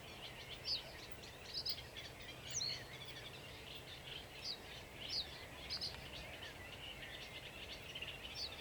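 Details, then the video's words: A sedge warbler sings on 28 June 2021 while another bird joins in: a steady buzzy chatter with piercing high chirps repeated at irregular short intervals, some doubled. "Śpiew rokitniczki"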